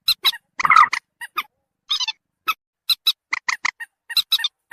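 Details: Lure call of the common moorhen meant to make birds approach: a loud churring squawk early on, then scattered sharp single and double kek notes with a short buzzy rattle in the middle.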